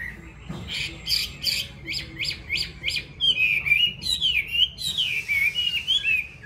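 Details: Caged Chinese hwamei in Vietnam, called yellow-billed, opens with a string of six sharp repeated chip notes about every half second, then launches into rich, fluid whistled phrases that rise and fall continuously.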